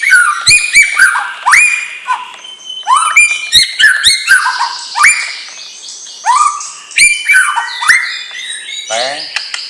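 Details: Young white-rumped shama of champion lineage in full song: rapid rising whistles and snapping clicks repeated in quick bursts, ending in a fast buzzy descending rattle.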